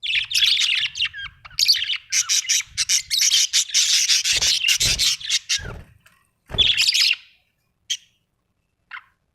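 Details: Budgerigars at home give long runs of scratchy, grating chatter with warbled notes, broken by a few dull knocks, then fading to scattered short chirps.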